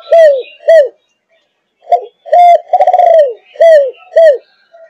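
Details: Spotted dove of the Malaysian line, 5.5 months old, cooing in the thúc gù style: short arched coos in pairs, then a burst of stuttered notes into a longer falling coo, and two more arched coos.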